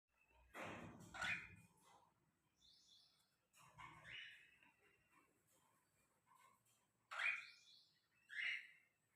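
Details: Three cockatiel chicks, one lutino and albinos, give scattered raspy, chirping calls, some higher and thinner, in a few short bursts with quiet gaps, mixed with brief rustling handling noise.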